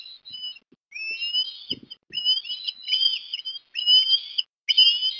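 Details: At breakfast on 17 December 2021 in Port Lincoln, Australia, an osprey calls while a chick gets fish; rising, whistled yelps repeat roughly every second.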